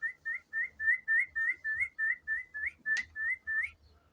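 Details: Budgerigar chick kept as a pet gives a steady series of about thirteen short, slightly rising whistled chirps, roughly four per second. One sharp click falls midway, over a quiet indoor background.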